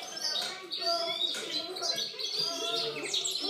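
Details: European goldfinch song from 2013, a continuous bright jangle of quick chirps and trills with short buzzy notes, accompanied by quieter low steady tones.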